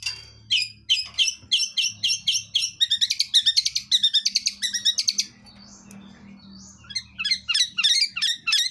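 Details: Long-tailed shrike of the blangkon type, singing in the wild in full bursting song rich with fill-in phrases: rapid runs of sharp chattering notes, about three per second, a brief pause, then more scratchy chips.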